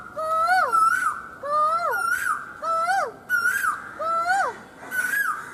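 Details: Asian koel, heard every evening from a terrace, calling loudly: a clear whistled two-part note rising then sliding, repeated about once a second in a steady series of five, with a ringing tone and no other sounds.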